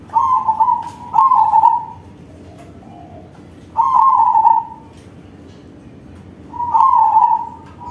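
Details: Crossing-bred zebra dove singing in a big voice, used as a lure for other doves: three low, rolling, trilled coo phrases, each about a second long, with pauses of one to three seconds between them and a faint hiss behind.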